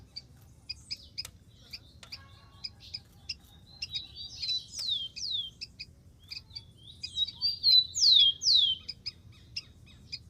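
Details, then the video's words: Wild rufous-collared sparrow: steady high chips build into two phrases of clear, steeply falling whistles later on, over a quiet low hum with a few faint clicks. "BURUNG KICAU"SPARROW RUFOUS"(KICAU MANIA)Full Gacor di alam liar"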